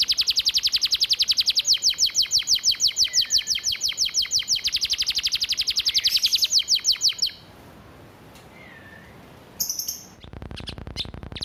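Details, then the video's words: Canary master vocal for training birds, with sparrow, cigun and flamboyan fill-in phrases: about seven seconds of fast, loud, pulsed high trill, then near silence, a brief high burst, and closing rhythmic clicking noise. "Kenari Isian Gereja- Bren Cigun-Flamboyan #(Master Vocal)"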